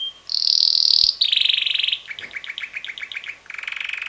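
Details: A male red canary, about six months old, that sings most of the day and whose melodies change weekly, sings a rapid, varied song: a bright sustained trill, then quick repeated chirping notes and a lower buzzy trill.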